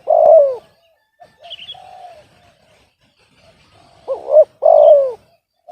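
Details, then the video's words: Spotted dove, said to have an off-key voice. One long descending coo, then soft murmured notes, then another full phrase: a quick double looped note and a drawn-out falling coo. A few faint high chirps are heard. "TARGET SUARA BESAR MALAH DAPAT BL SUARA SUMBANG"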